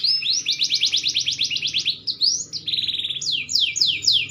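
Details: Green canary, maturing, delivers a loud rolling trill of quick repeated rising notes for two seconds, then a brief pause and a series of clear, steeply falling whistled sweeps.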